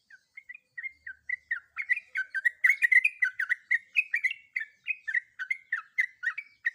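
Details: Calling female sooty-headed bulbul, in breeding condition, summoning a male: sparse chirps build into a dense, hurried chatter of short inflected notes, about four per second, slightly uneven in rhythm.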